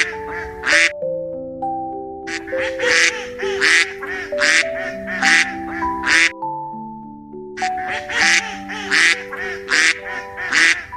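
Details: Duck giving a long series of raspy, nasal quacks at a steady pace of about one per second. A short pause midway leaves only background music audible before the quacking resumes.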